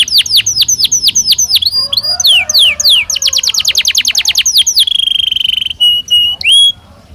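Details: A Belgian canary in natural song: quick falling whistles, a burst of fast sweeping notes, then a long even buzzy trill. Short whistled fragments close the phrase.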